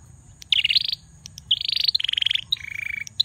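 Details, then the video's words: A bar-winged prinia, possibly male, sings loud, high, rapid trilled phrases, each a quick run of sharp repeated notes, delivered back to back with brief gaps. "Prenjak Belukar Gacor"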